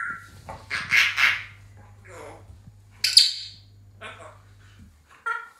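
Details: Harsh squawks and mumbled, speech-like chatter from a pet African grey parrot, with loud rasping bursts and a short harmonic call at the end, low hum in the background.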